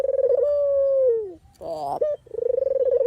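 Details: Dove (puter/deruk) call used for song training and as a lure for trapping: a low pulsed trill leading into a long steady coo that slides down, a short harsh note, then another rattling trill.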